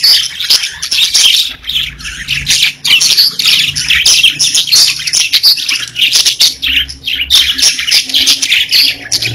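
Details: Pet budgerigars chattering and singing, a steady mass of gritty warbles and bright chirps, loudness pulsing in short bursts, with a faint low hum underneath.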